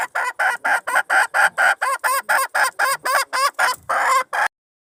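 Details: Hen red junglefowl luring a wild rooster, 26 March 2020: a fast run of about seventeen harsh clucks at some four per second, ending with one longer, drawn-out note.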